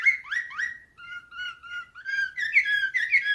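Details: Slavujar canary in nightingale-style song, opening with quick upswept whistles, then slow, level, pure whistled notes repeated evenly, ending in brighter rising notes with buzzy overtones.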